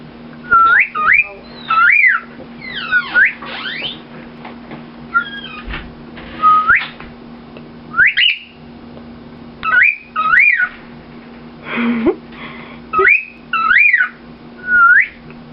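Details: Male cockatiel whistling a song his owner taught him, taking turns with the owner despite distractions: clear, rising and swooping notes, phrases repeating every second or two.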